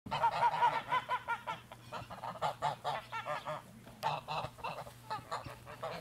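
Domestic geese honk loudly and repeatedly, several birds overlapping in a fast, uneven stream of nasal, mid-pitched calls, about three per second.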